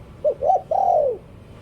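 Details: Spotted dove decoy bird giving one full cooing phrase: a brief low note, a slightly longer second coo, then a long smooth coo that arches and slides down to finish.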